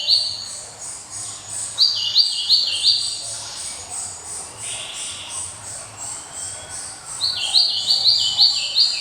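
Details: Java sparrow song, described as ringing and unrivalled: two bursts of quick, high, slurred chirping notes repeated several times a second, with a quieter stretch between. A steady high insect-like hiss and a low hum run throughout.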